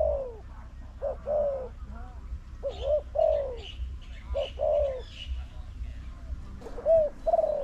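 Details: Spotted dove in a decoy bird-trapping contest, answering the lure bird from a new trap enclosure; a steady run of short, falling, slightly hoarse coos, roughly one or two each second, with faint higher chirps and low background hum.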